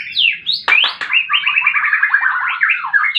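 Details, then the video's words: Fighting song of a white-rumped shama, played to prompt silent birds to sing: sweeping whistled notes and sharp clicks open into a fast, continuous stream of rolling, trilled phrases. "Murai batu tarung pancing bunyi burung macet"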